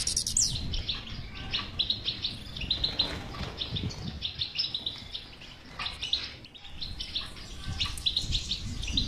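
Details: Song of a European goldfinch, played so a silent goldfinch will start singing; lively chirping phrases with a brief lull midway and some fluttering sounds.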